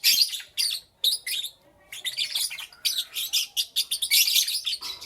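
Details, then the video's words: Morning chorus of lovebirds with loud, shrill, grating chirps, a few separate bursts at first, then an almost continuous run of rapid squawky calls. "Lovebirds Chirping Sounds"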